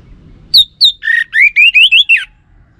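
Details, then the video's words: Lure song of an orange-headed thrush meant to make males answer. Two high clear notes, then a rapid string of looping, warbled whistles descending at the end, with faint low background noise. "Ga Bunyi Dengan Pancingan Burung ANIS MERAH Ini dipastikan Itu Burung Betina, Jantan Pasti Nyaut"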